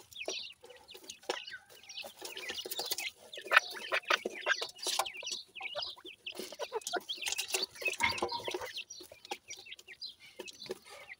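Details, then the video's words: Baby pheasants eating new food, giving a steady stream of high, thin peeping chirps that slide up and down, overlapping from many chicks, with scattered clicks and taps. "baby pheasant is very happy with the new food today,teter baby"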